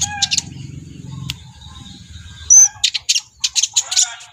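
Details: Brown-throated sunbird, the kolibri ninja, gives scattered high, sharp notes. A low rumbling hum fills the first half, then a bright whistle leads into a fast run of clipped chirps.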